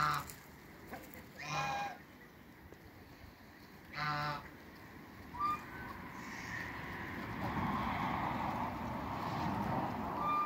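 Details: Backyard Toulouse and African geese, the pair behind a new hybrid: two short nasal honks a couple of seconds apart, followed by a steady hiss of low background noise.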